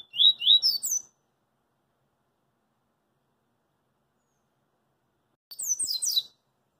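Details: Street recording of a double-collared seedeater in coringa song: one phrase of rising whistles and rapid high descending notes, then about four seconds of silence, then a second burst of quick, high, tumbling notes.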